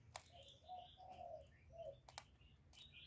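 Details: Spotted dove calling without pause to draw in other doves: low, mellow coos, one drawn out, over faint high chirping from other birds and a few sharp clicking sounds.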